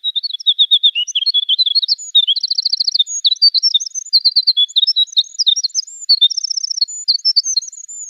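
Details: Winter wren (Troglodytes hiemalis) song: a long, rapid, tumbling cascade of high tinkling notes and fast trills whose pitch climbs higher and higher toward the end.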